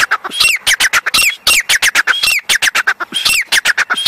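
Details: Captured young grey francolin calling loudly and continuously, a dense stream of harsh, grating, downslurred notes delivered in rapid clusters of two to four, with barely any gaps between them.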